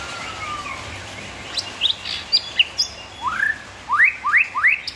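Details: White-rumped shama singing a phrase of bright upward-sweeping whistles, several short rising notes in quick succession after a softer falling slur.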